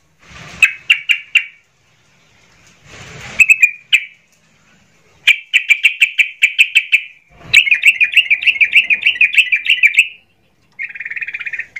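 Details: Emotional sooty-headed bulbul singing to stir up other bulbuls: short bursts of fast repeated notes separated by silences, a longer trilling run near the end, with several brief rustling noise bursts between phrases.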